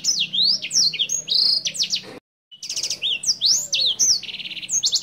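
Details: A senger bird, a prolific, clear-voiced singer, sings a fast, varied string of high, sharp notes: sweeping whistles, buzzy trills and rapid chirps, with a brief silent break midway; the song is offered as a tutor recording for other birds.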